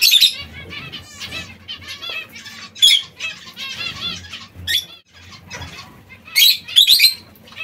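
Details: Several zebra finches eating seeds and fresh salad keep up a busy chatter of brief nasal beeping calls, stuttered in quick series, punctuated by harsh broadband flutters and scuffles.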